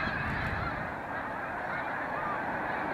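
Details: Large flock of wild snow geese taking off at sunrise from the water where they spent the night, heading to feed in fields in Canada on 26 April; dense, continuous overlapping honking from many birds forms a steady roar.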